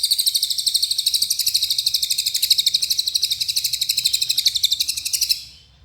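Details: A Small Minivet (cililin) singing in the 'nembak' style: a long, continuous high-pitched rattle of quick, regular pulses that holds steady, then stops abruptly, leaving near silence.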